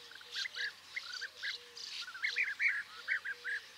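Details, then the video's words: Calls of the European bee-eater: soft, trilled, slightly buzzy notes in quick irregular succession, fairly quiet against a hissing background. "Vogelstimmen: Der Bienenfresser - Bee eater - Merops apiaster"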